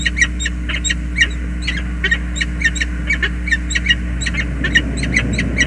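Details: Peregrine falcons greeting at a bridge nest in the USA, February 2022, during an affectionate two-minute meeting of male and female; rasping, repeated chittering call notes with louder accented bursts, a constant low hum beneath.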